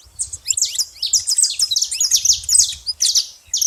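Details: Saffron finch making a lot of noise at a baited feeding spot: dense, overlapping high chirps and short downslurred notes in quick bursts, with faint low thumps underneath.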